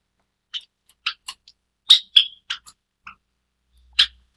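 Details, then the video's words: White Java sparrow (Lonchura oryzivora) gives a quick, irregular series of sharp, high chips and clicks, about a dozen notes in four seconds, with one slightly longer ringing note. "白文鳥/White Java Sparrow"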